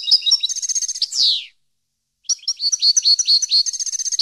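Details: European goldfinch song for educating captive birds: quick liquid twitter and trill ending in a falling buzzy slur, a short silence, then another run of rapid chirped notes and a trill.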